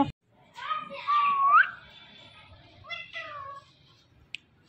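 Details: Indian ringneck parakeet talking indoors: short nasal, speech-like syllables with a rising, whistled inflection near the middle, then a couple of quieter word-like bursts after a pause.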